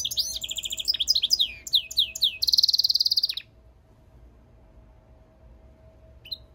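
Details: European goldfinch mule bird singing a lively phrase of twittering chirps, swooping downslurred notes and a long buzzy rattled trill, followed by silence and one faint short note.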